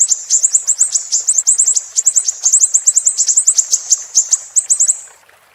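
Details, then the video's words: Siri-siri song, used for tutoring caged songbirds: rapid strings of sharp, high-pitched chirped notes delivered in quick bursts, about ten per second, trailing off into quiet at the end. "Burung Siri-Siri"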